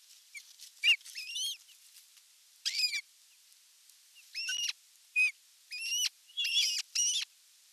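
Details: Osprey calling at the nest on a live camera during the evening meal, 30 June 2022: scattered high whistled notes, some slurred and downward-bending, uneven spacing over several seconds against faint background hiss.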